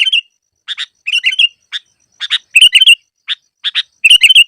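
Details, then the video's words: Sooty-headed bulbul recorded to serve as a trapping lure. Single and doubled clear chirps alternate with short bubbling, slurred phrases, spaced by brief silences. "Masteran burung KUTILANG cocok untuk pikat yang malas bunyi"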